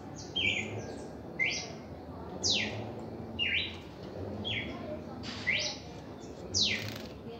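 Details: Repeated song of a red-crested cardinal in its first reaction: paired buzzy mid-high notes and sharp falling sweeps, about one per second, with a steady low hum and faint voices in the background.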